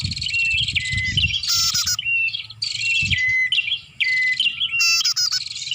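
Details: Lure sound of a bar-winged prinia for attracting birds: dense, overlapping high chirps and sharp falling whistles, broken by bursts of buzzy rattling notes, continuous and loud throughout.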